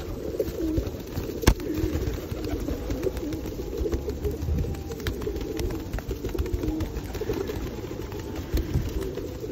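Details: Rainy-day feeding of feral pigeons at Osu Kannon, 2021: many birds coo low and continuously in a dense murmur, with scattered clicks, one sharp knock and constant wet background hiss.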